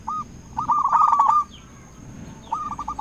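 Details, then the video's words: Local zebra dove, a lure bird calling to rivals. A single coo leads into a rolling, slightly muffled run of notes, then after a pause a few hooked coos start again over a faint steady background hum. "Perkutut lokal gacor RAJA PIKAT memanggil lawan sekali dengar bikin semua perkutut nyaut"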